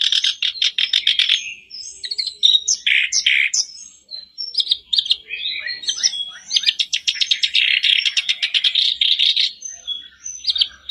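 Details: Sooty-headed bulbul singing, played to provoke a caged bird into song: continuous fast chatter mixing trilled rattles, sharp chirps and thin high whistles, barely pausing.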